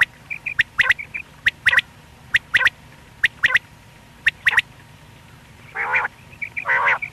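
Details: Single male quail heard morning and night during hunting: quick bursts of two or three sharp, dry clicking notes repeating roughly every second, then two harsh nasal honks and thin whistled notes near the end.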